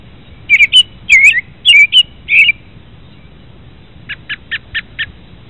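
American robin giving four clear, warbled whistled phrases, then a quick run of five sharp, evenly spaced call notes.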